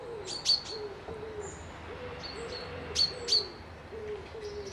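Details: Wild birds at a lakeside lodge by a loch in Dundee: sharp, high double chirps ring out in pairs over a soft, low cooing phrase that repeats every second or so.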